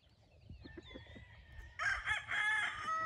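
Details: Wingate Brown Red gamefowl in a brood pen on a game farm, a stag with a hen; soft clucking notes lead into a loud, hoarse crow that carries through the final second.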